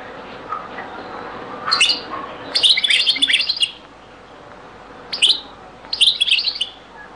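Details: European goldfinch, very old Beni Messous 'les avocats' (zaboka) recording: after a few soft notes, a bright run of fast twittering and buzzy trills, then a sharp note and another short tinkling phrase.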